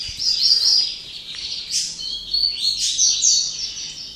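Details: Double-collared seedeater singing in late afternoon after a day of song: unbroken fast, high twittering with buzzy trills and sharp slurred notes across the whole stretch.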